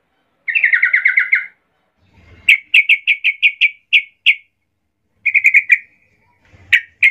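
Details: Sooty-headed bulbul calling to get other bulbuls to reply: a quick descending stutter of chirps, then a spaced series of sharp single chip notes, another short burst and a final note, with faint low thumps.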